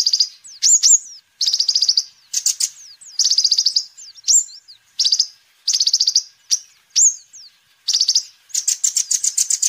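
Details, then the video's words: Lively sunbird song, known locally as kolibri ninja and used to lure and tutor birds; dense high buzzy trills broken by short rising whistles, repeated in steady bursts. "Kolibri Ninja Gacor Terbukti Ampuh Untuk Pancingan Dan Masteran Burung"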